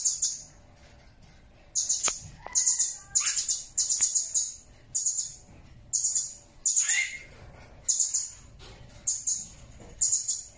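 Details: Blue-crowned hanging parrot, an original recording made as a tutor for training songbirds: very high, thin, shrill bursts, each a quick cluster of sharp notes, about nine in ten seconds with short gaps of quiet between them.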